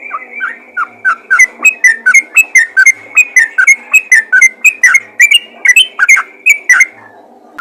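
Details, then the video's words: Yellow-vented bulbul calling other bulbuls with rapid 'ropel' notes: continuous chattering whistles, each note dipping or rising, repeated roughly three times a second without a break. "panggilan burung trucukan ropel gacor memanggil trucukan lain"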